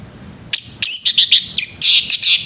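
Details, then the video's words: Morning song of a male orange-headed thrush, a dense string of loud, high, clear whistles and trilled chirps in short phrases with little pause, against a quiet background. "SUARA ANIS MERAH PAGI HARI"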